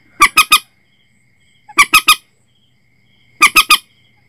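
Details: Common moorhen lure recording used to set nets at night: three groups of three harsh, broadband squawks, evenly spaced about 1.6 seconds apart, over a quiet background.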